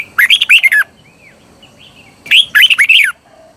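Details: Red-whiskered bulbul decoy singing, meant to call wild birds and prompt bulbuls to sing: two lively bursts of slurred, warbling whistles, with soft faint notes in the pause between.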